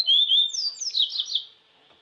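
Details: Yellow-bellied Seedeater singing in nature: a quick, bright phrase that opens with a clear whistled slur, then tumbles into rapid high buzzy, chattering notes before fading out, with no other sounds.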